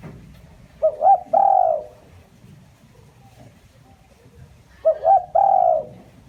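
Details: Spotted dove giving its lure call, used to excite and draw in wild doves. A low, mellow three-part coo, two short notes then a longer drawn-out one, is repeated about four seconds apart over quiet background.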